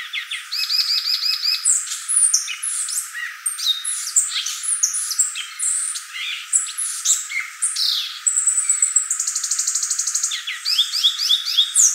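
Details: A violaceous euphonia delivers a long, lively song of chattering trills, twittering chirps and sharp squeaks, with a high, even rattling trill near nine seconds and varied notes packed closely together.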